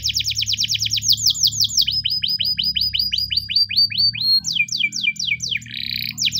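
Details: Spanish Timbrado canary in morning song used for training: quick series of repeated falling whistled notes, each run holding several seconds before switching to a new note type, with low humming in the background.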